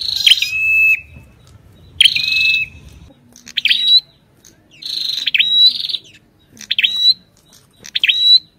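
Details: Ashy tailorbird with the female calling: two opening whistled notes that drop and hold steady, followed by a series of short rising chirps and buzzy phrases, a faint low hum early on.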